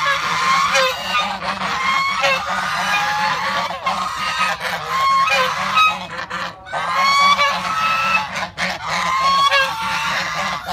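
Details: Flock of geese at a temple in Prey Veng province, Cambodia, honking almost continuously, harsh nasal calls from several birds overlapping into a noisy chorus with a faint low background hum.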